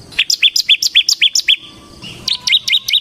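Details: Bar-winged prinia of the semi type in ngebren song: crisp, loud two-part chirps repeated about four per second, a short quiet gap, then the chirping restarts slightly higher and quicker.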